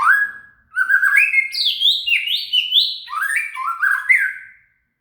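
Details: Shama (murai) singing, used as song material to train a cililin: a continuous run of clear whistled notes stepping up and down in pitch, lively and varied, ending in silence.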